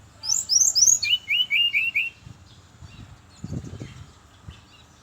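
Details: Brown-chested jungle flycatcher singing in the morning to lure others of its kind: three high swooping whistles then a quick run of four lower rolling notes, followed by low thumps and handling noise.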